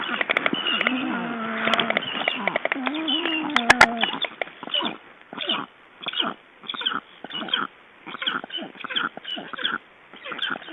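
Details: Black stork in Estonia, handled during ringing on 29 June 2012: wavering, harmonic-rich calls with a low, nasal tone for the first four seconds, then a series of clattering, clicking bursts that recur roughly every half second.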